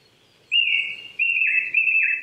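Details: Japanese thrush singing in April at 800 m in a Saitama forest park near Chichibu, Japan, in the morning: three loud, sustained, clear whistles, each bending and dipping slightly, given back to back.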